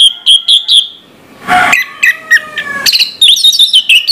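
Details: Orange-headed thrush in morning song: a few repeated clear whistled notes, a burst of noise, then a sequence of descending whistles and a quick warbled phrase.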